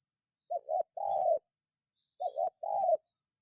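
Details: Two cooing phrases from a spotted dove, used as a lure for other birds: each a quick two-part note then a longer falling coo, about 1.7 seconds apart, over a faint constant high hum.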